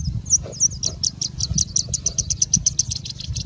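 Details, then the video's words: Singing bush lark in India, singing continuously and mimicking birds such as Indian Robin, Pied Bushchat, Plain Prinia and Common Woodshrike; a fast run of high, clipped chirps, about eight a second, over a low rumbling background. "Singing Bushlark singing and mimicking for more than three minutes straight"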